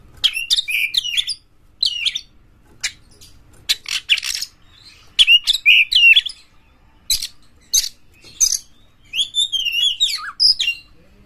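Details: Oriental magpie-robin (kacer) champion singing to lure other magpie-robins, tail open: clustered scratchy, buzzy phrases broken by brief pauses, with warbled downslurred whistles near the end.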